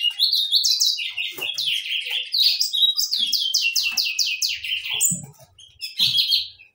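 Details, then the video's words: Saffron finch song: a busy run of bright, high chirps and quick downward-slurred notes, tumbling without pause, with a few soft low knocks near the end. "gorriones pecho amarillo cantando"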